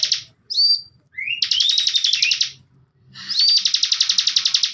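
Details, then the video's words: Bar-winged prinia, a bird named Girimukti used as a tutor for young birds, gives fast dry buzzy high trills broken by a few rising whistled notes, in bursts of one to two seconds. "CIBLEK Bren COCOK BUAT MASTERAN"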